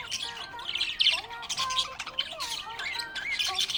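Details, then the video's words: Lively, happy budgerigar chirping: busy high warbled chatter mixing rapid squeaky notes, short slurred whistles and rough squawky bursts, with no pauses. "Happy budgie chirping sound"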